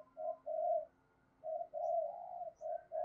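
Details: Decoy spotted dove with the 'giọng thổ' cooing style: mellow low coos in a short and a long phrase, then a drawn-out coo and quick follow-up notes, over a faint steady hum.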